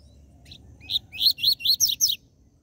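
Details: Seedeater song in the Brazilian "tui tui zel zel" style, played to excite captive birds and for song training: a rapid series of about six sharp, high, downslurred chirping notes in a burst just over a second long, with quiet low background hum.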